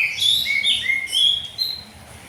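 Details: Oriental magpie-robin singing in full 'ngeplong' style in the morning, used as training for young birds to join in: clear, sweet whistled notes sliding up and down, several varied phrases in quick succession with faint background hum.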